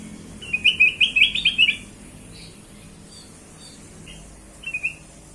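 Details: Kutilang emas (black-crested bulbul), played as a lure for other birds: a lively phrase of about nine quick whistled notes, then several seconds of near quiet and a brief three-note reprise.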